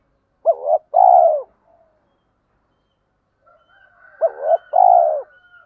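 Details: Spotted dove, males and females cooing to spur training birds; two paired phrases a few seconds apart, each a short hooked note then a longer buzzy descending coo, with a faint high whistle under the second.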